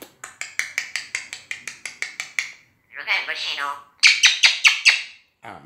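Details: Talking common hill myna outside the house: a fast series of about a dozen sharp clicking chirps, then a rough speech-like phrase, then several loud harsh squawked notes in quick succession.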